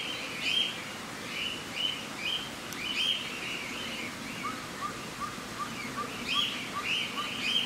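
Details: Australian king parrot calling in Saitama, Japan, 31 March 2018: bursts of harsh, whistled chirps in clusters, with a quieter series of lower, evenly spaced piping notes midway.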